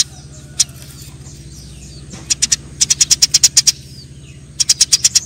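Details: Eurasian tree sparrows fighting, with a steady low hum beneath: one isolated chirp, then a quickening series of sharp high chirps and a final short burst.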